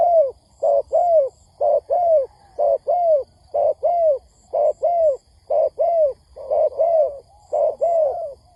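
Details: Spotted dove lure recording used for trapping, meant to stir wild doves: deep paired coos, a short note then a longer falling one, repeated steadily about once a second, with faint high triple peeps now and then.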